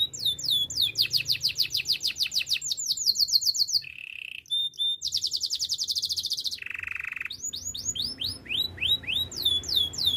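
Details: Belgian canary performing a training song: rapid high trills of repeated swooping notes, a brief lower buzzy roll, another fast trill, a deeper rolling note, then spaced bright swoops.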